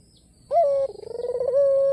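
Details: White ringneck dove with black collar, cooing to provoke rivals to call: silence, then a sharp bright note opening into a sustained, pulsing, even-pitched rolling coo.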